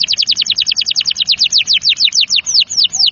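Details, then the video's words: Canary song to stimulate young, stalled or lazy canaries: a rhythmic trill of sharp down-slurred notes, gradually slowing toward the end. "TERAPI KENARI PALING AMPUH AGAR CEPAT GACOR | kenari paud kenari macet kenari malas bunyi ikut NYAUT"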